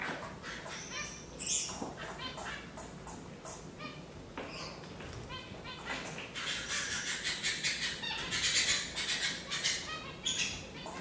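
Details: Several Gouldian finches call together, giving thin, high chirps and soft buzzy notes in irregular bursts, with a low background hum.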